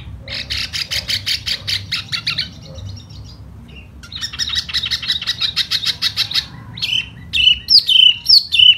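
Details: Laughingthrush singing in spring with a fanning display: long trains of rapid, buzzy pulsed notes, then a few clear slurred whistles at the end.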